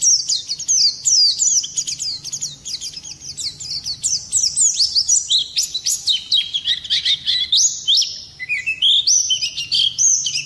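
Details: Oriental white-eye pouring out a long rolling song to rouse other birds: quick high chirps and falling whistles in dense bursts, with a few lower slurred notes toward the end.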